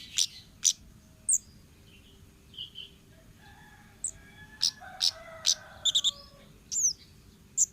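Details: Wild orange-headed thrush singing: scattered sharp high whistled notes and short slurred phrases, some buzzy mid-pitched trills between them, separated by brief pauses over a steady low background hum.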